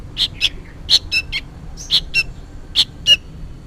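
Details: Juvenile sooty-headed bulbul calling insistently as if for its parent: high clipped chirps mixed with slightly lower, fuller notes in quick uneven bursts.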